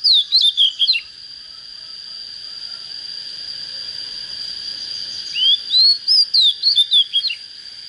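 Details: Young Oriental magpie-robin, said to have a proper voice, ends one phrase of quick whistles, pauses about four seconds, then sings again with a rising slur and a fast series of bright, varied notes over a constant high tone.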